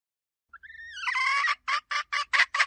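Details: Hen starting with thin, rising whining notes that swell into a long, harsh squawk. Five separate clipped cackling notes follow at a steady pace.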